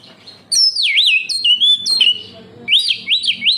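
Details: Oriental magpie-robin (kacer) in energetic song meant to stimulate captive birds: clear looping whistles, dipping and rising, then a run of three swooping notes after a brief pause.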